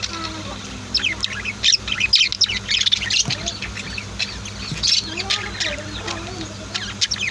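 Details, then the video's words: Caged budgies and lovebirds indoors at home chatter in busy bursts of high, scratchy chirps and short squeaks, thickest in the middle seconds, with softer warbled notes toward the end over a low background hum. "Sweet Bird Chirping Sounds | Relaxing Voice of My Pet Birds"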